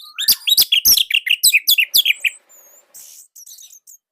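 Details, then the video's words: Indonesian orange-headed thrush in a loud, dense training recording. Fast, forceful sequence of sharp chirps and whistles for about two seconds, trailing into softer high twitters. "Anis Merah Indonesia //Masteran Paling Enak"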